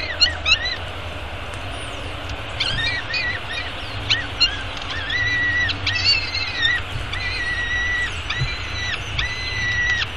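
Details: Peregrine falcon eyas at a downtown Arizona nest, fed breakfast on 24 May 2016 at 9:28 am, nest camera: repeated drawn-out whistled whines, some rising and falling, roughly every second, over constant low urban hum.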